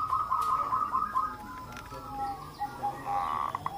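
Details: Local zebra doves calling together as a lure for other doves: a short series of clipped, evenly spaced coo notes, then softer scattered notes and a faint trill.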